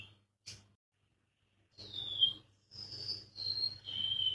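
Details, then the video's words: Golden-bellied gerygone song: after a near-silent start with a brief high blip, a sequence of thin, high whistled notes slides gently downward, one after another, over a low background hum. "suara burung remetuk laut"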